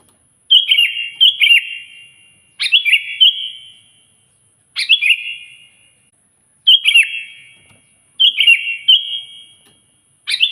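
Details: Sooty-headed bulbul in full loud song, meant to lure and challenge a rival: six short, sharp, bubbly whistled phrases, spaced roughly every two seconds, each ending in a ringing echo.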